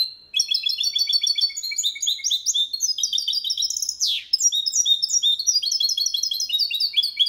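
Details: Malaga-style song (limpio copia) from a goldfinch and canary mule, sung cleanly as a tutor for male goldfinches, hybrids and young birds. Rapid repeated high chips and rolling trills flow continuously, broken once by a sharp downward swoop.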